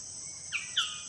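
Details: Magnificent bird-of-paradise (Cicinnurus magnificus) in the jungle of the Arfak Mountains, West Papua, during courtship and a male's mating display, gives two short, sharp, down-slurred notes about a quarter second apart, over a steady high insect drone.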